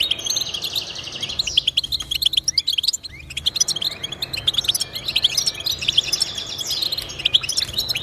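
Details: Song of the European goldfinch, offered as encouragement for caged pet goldfinches to sing; dense, bright twittering and buzzy trills run almost without a break, thinning briefly for about a second near the three-second mark before resuming.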